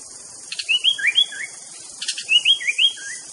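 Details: White-rumped shama master song meant to agitate rival birds: two short bursts of clear, slurred whistles that rise and fall, each burst opened by a few sharp clicks, with a steady high hiss behind.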